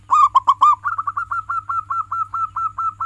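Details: Zebra dove of a local strain, kept as a songbird, singing three loud arched notes followed by a fast, even run of about fourteen short, rising, clipped notes. A recording used to coax other doves to sing.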